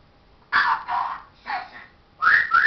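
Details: Pet parrot talking, reportedly saying "hello darling": four raspy, speech-like phrases separated by short gaps, ending in two bright, rising whistled syllables. No other sounds stand out.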